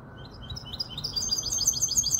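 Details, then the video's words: Goldfinch hybrid, kobiya Malaga, five months old, Casablanca, Morocco: a quick stream of thin, high chirps rising in pitch into a fast, tinkling twitter over steady low hum. "تغريد هجين الحسون كوبية ملقا 5 أشهر"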